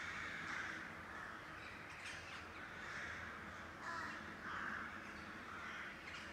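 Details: Several crows over city rooftops near Blücherplatz in northwestern Kiel, Schleswig-Holstein, give harsh, raspy caws in uneven bursts, some overlapping, over a steady background hum; it is unclear whether they are crows or ravens.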